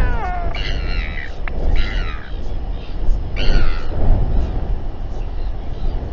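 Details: Royal albatrosses squabbling at a group gathering in New Zealand, evening of 27 January 2021, nest camera; a falling whine, then three loud braying harmonic bursts spaced a second or so apart, set against strong wind rumble.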